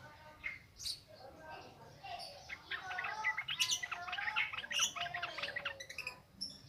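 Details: Bubbly warbling and rapid chirps from a yellow-vented bulbul, ngropel ngalas style, used as a lure to get newly caught birds singing; the phrases build to a busy middle section.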